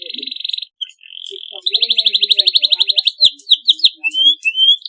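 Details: Canary singing a long, clean masteran-style song: a buzzy high trill, a short steady note, then a long run of rapid pulsed notes ending in quick rising whistled slurs.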